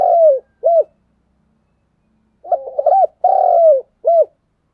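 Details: Vigorous, intense 'thúc gù' cooing from a spotted dove kept as a decoy. Low, mellow coos with downward-curving tails come in pairs, with a stuttering, broken phrase after a pause.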